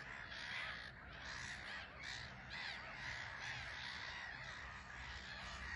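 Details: Black-headed gulls at a bustling island colony on Frampton Marsh under a grey sky, taking off and landing; many harsh, overlapping calls sound almost continuously, a steady crowded chorus with no gaps.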